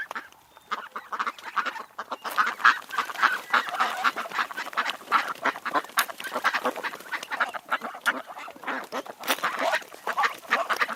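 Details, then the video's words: A flock of wild ducks quacking continuously, dense nasal bursts overlapping across the whole stretch, loud and busy, with no other clear sounds. "What Sounds do Ducks Make?|Duck Sound Effect|Duck Noise|Duck sounds"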